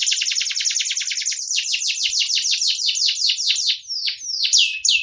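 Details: Canary song with a clear voice, a master recording: dense, fast rolling trill of high downward sweeps, continuous and bright, shifting to slower slurred notes near the end.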